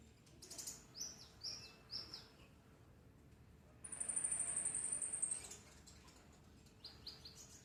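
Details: Common iora singing in the morning: a few high, short downslurred chirps, then a long thin buzzy trill held for about a second and a half, followed by faint chirps over a quiet hum.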